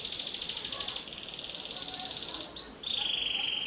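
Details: Panda canary holding a long pulsing trilled tone that steadies, then an upward swoop and a clear descending sustained whistle.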